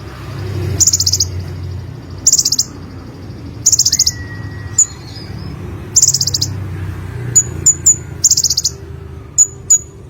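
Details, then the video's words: Olive-backed sunbird, known locally as konin, in lively song: short, very high rattling trills roughly every two seconds, with thin sharp chip notes between and one lower drawn-out whistle, over faint low hum. "BURUNG KONIN SUARA GACOR FUL MATERI 100% JERNIH || KOLIBRI"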